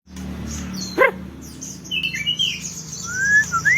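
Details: Songbird sunbathing, giving high thin chirps and short falling whistles, a sharp click near the first second, and a long rising whistle toward the end over a steady low hum.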